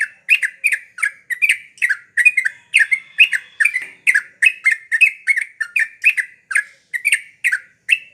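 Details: Yellow-vented bulbul singing in the gocar style: bubbly, slurred notes with sharp clicky tops, repeated steadily about twice a second without pause across the whole stretch, on a quiet background.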